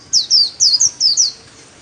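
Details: Ornamental white-eye singing the 'líu' style solo: six loud, very high whistles, each sliding down in pitch, delivered in quick pairs within just over a second, then silence.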